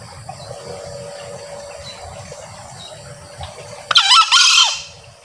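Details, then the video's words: Male green junglefowl giving a short, harsh two-part crow of under a second, a rising burst then a bent, falling note, after several seconds of steady insect and background hum; used as a lure to call junglefowl when hunting. "SUARA AYAM HUTAN JANTAN ( NGEKEK BERKOKOK)"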